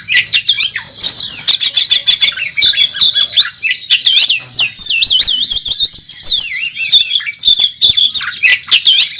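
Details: National-champion Oriental magpie-robin fighting in song at a bird contest, full of imitated phrases: long loud run of wavering, looping whistles, trills and rapid chattering, very high and continuous.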